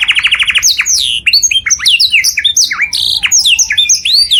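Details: Loud canary song for other birds to copy. It opens with a fast, even buzzy trill, then moves into a jumble of high whistled sweeps and swoops that climb and drop in quick succession.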